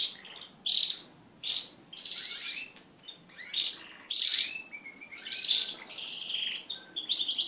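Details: Crested canaries mating in a group of pet birds deliver ringing high whistles and buzzy trilled phrases in regular bursts about every second.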